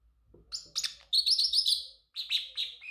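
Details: Pet male Pacific parrotlet chirping rapidly: quick high twittering notes building into a loud, sustained warbling trill, a brief break, then more bright chirps.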